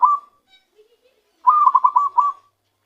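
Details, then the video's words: Recently trapped zebra dove producing its natural song, the tail of one cooing phrase followed by a full run of staccato, bubbling coos ending in a drawn-out note. "ketika perkutut hasil pikat mulai keluarkan suara asli nya"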